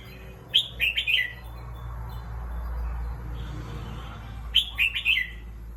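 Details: Caged red-whiskered bulbul, a competition bird taking a rest, repeats a brisk phrase of four loud, liquid chirping notes twice, roughly four seconds apart, over a steady low background rumble.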